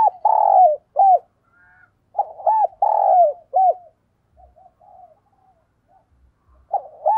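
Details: Decoy spotted dove calling in the urgent cooing style: two full phrases of stuttered, drawn-out and clipped coos, quiet murmurs between, and faint low thumps in the background.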